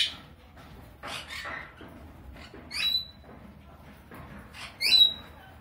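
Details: A pair of sun conures mating gives a few short, harsh squawks and chatters, two of them ending in sharp, high whistled notes about two seconds apart.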